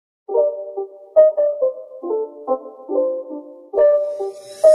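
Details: Piano-like keyboard music plays a series of short melodic notes and chords.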